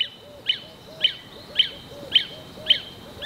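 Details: Lesser honeyguide calling from the top of a tree in early spring, from a song post it can use for years; a single sharp, high note repeats steadily about every half second, six times, over soft lower chirps from other birds.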